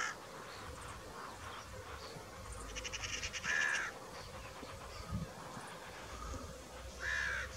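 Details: Two hoarse, drawn-out caws about three and a half seconds apart, set against a low hum and faint buzzing rattles.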